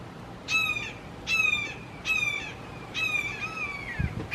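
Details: Loud, emphatic calling by three Red-shouldered Hawks in a Florida backyard: five drawn-out, harsh, downward-slurring kee-ah notes spaced under a second apart, the last one longer, over soft ambient noise.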